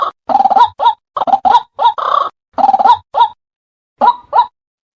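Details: White-breasted waterhen croaking used as a trapping lure: loud harsh rasping phrases alternating with shorter clipped croaks, uneven rhythm, several notes with a brief rising inflection, ending in a pause and two final croaks.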